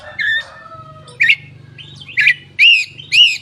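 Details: Lure song of a koci opening its tail, for stimulating silent koci; thin falling whistles first, then loud arched chirps coming quicker toward the end over a low hum.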